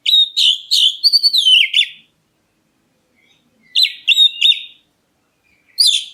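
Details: Black-breasted Oriental magpie-robin calling so other birds reply: a two-second string of shrill, quick chirps and downward whistled slurs, a pause, then two more bright phrases and a final short burst.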